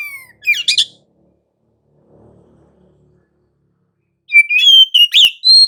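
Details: Oriental magpie-robin giving 'gacor ngerol' lure song to make other magpie-robins answer: a burst of twisting warbles, a quiet gap of nearly three seconds, then a run of rising whistles and sharp chirps.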